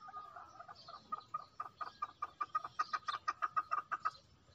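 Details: Female chukar calling: a rhythmic series of about fifteen short clucking notes, beginning faint and growing louder, spaced roughly four per second and ending abruptly.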